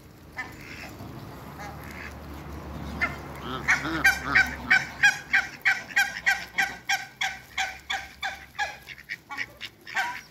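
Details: Two pairs of African geese in a backyard shared with Muscovy ducks; after a few seconds of quieter, mixed sounds, a long, rapid, regular chorus of brassy honks builds and carries on at about three notes per second.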